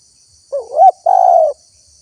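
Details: Spotted dove played as a lure for wild birds: a two-part coo, a short rising-falling note then a longer, steady, hollow coo lasting about half a second, over a constant faint high hiss.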